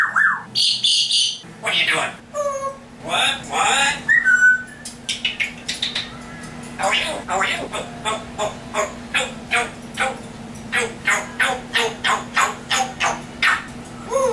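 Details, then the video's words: Pet African grey parrot talking and mimicking sounds indoors: speech-like syllables and rasping noises at first, then a long, fast series of short clipped bursts repeated steadily, over a faint background hum. "African grey parrot talking compilation"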